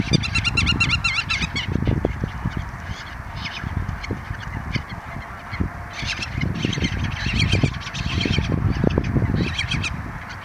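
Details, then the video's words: Black-tailed godwits at Lingezegen on 3 April 2020: a wavering, nasal, harmonic call series opening the recording, then further bursts of repeated calls, over heavy low wind rumble. "Grutto's Lingezegen"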